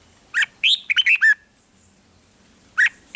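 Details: Red-whiskered bulbul from Thailand, song played to get caged birds excited: one short burst of five or six rich, chirped notes, then silence and a single note at the end.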